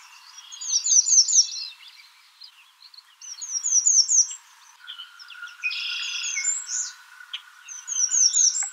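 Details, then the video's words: High, thin phrases of the American redstart, each a quick string of sharp notes, repeated several times over nine seconds against other chattering birds and a steady low whistle-like tone in the second half. "American redstart Calling."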